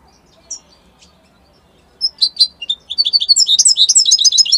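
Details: European goldfinch, Italian type: a couple of isolated high chirps, then a quickening burst of twittering, tinkling and buzzy notes that grows louder and denser to the end.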